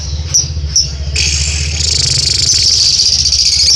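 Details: Lovebird giving a long trill: two short high chirps, then an unbroken, dense, buzzy chatter that swells and keeps going for nearly three seconds. A steady low hum runs underneath.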